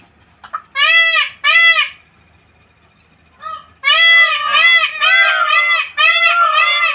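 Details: Peacock in a bird garden giving loud, harsh, richly harmonic honking calls: two blasts, a pause, then a fast run of about six repeated arched wails, with faint background murmur.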